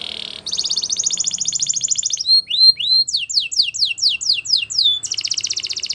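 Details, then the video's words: Spanish Timbrado canary song, opening with a long bright rolling trill, moving into hooked whistles and a fast series of falling sweeps, and closing with another dense trill. "Canary Singing CHAMPION For Training | Spanish Timbrado Song"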